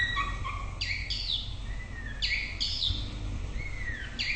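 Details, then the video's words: White-rumped shama song: clear whistled phrases, some sliding down and some rising, set between short pauses, over a steady low rumble of background noise. "Chòe lửa bông tới nái /shama bird/murai batu/白腰鹊鸲/บินหลาดง/"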